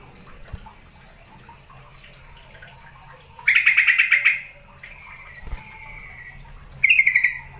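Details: Yellow-vented bulbul calling, used as a lure so a caged bird sings: two short rapid rattling trills, a softer drawn-out note between them, and faint background hum.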